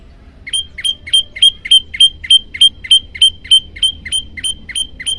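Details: Olive-backed tailorbird, master recording for training birds: a long unbroken string of about seventeen sharp, bright metallic chips delivered at a regular three-per-second pace, loud and clear over low hiss.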